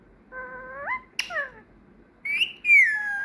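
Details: Pet female parrot that has learned to whistle after months of training. Pure whistled notes with rich overtones: a level tone swooping upward, a short sharp accent, then a loud rising-and-falling slurred whistle.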